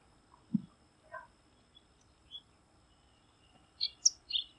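Bengal bush lark giving a few scattered, thin chirps, ending in a quick burst of high, sharp notes; a soft low thump comes early.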